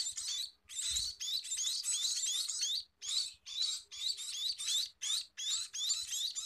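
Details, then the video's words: Harsh, wheezy high chirps from a Scaly-breasted munia at feeding, nearly continuous for three seconds, then repeated in short bursts about every half second, with one soft low thump. "Meloloh Burung Emprit Peking!!"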